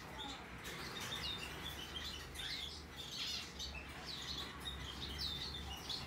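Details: Rosy-faced lovebird chick of white-face Australian cinnamon coloring, hand-tame, 3 April 2022, giving a busy run of thin, high chirps and squeaky notes, some sweeping downward, with faint rustling and a low background hum.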